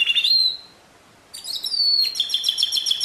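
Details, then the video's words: Pure canary song, 2016: a rising whistled note, a pause, then a drawn-out high whistle leading into a rapid steady trill. "Chant Canari Pur 2016"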